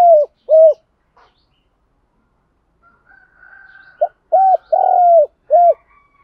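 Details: Spotted dove cooing to stir other trained doves into cooing and fighting: low, soft four-part coos, a short note, paired notes, a long hollow note, then a short one, repeated twice with a faint steady whistle between phrases.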